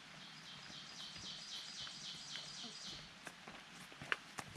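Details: An ovenbird on the Appalachian Trail in 2020 sings loudly, a rapid series of repeated high two-note phrases building steadily for about three seconds, over background noise and a few footstep-like knocks, shortly before torrential rain.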